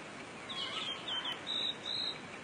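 Pink robin giving five thin, high notes, some sliding down, others held level, spaced about half a second apart over a steady background hiss.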